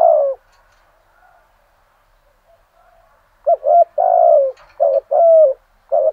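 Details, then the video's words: Spotted dove kept as a decoy, calling at first light in the full 'thổ' song style to stir up wild birds: deep coos in phrases of short notes and long falling notes, a phrase ending, silence, then a quick new series. "Chim Cu Mồi Giọng thổ đủ bài"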